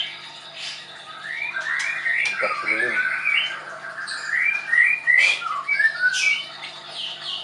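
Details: White-rumped shama, a caged bird at a training school in Tangerang, Indonesia, sings a run of fast slurred whistles and chirps around the middle range, rising toward the end, with brief low human voice sounds near the start.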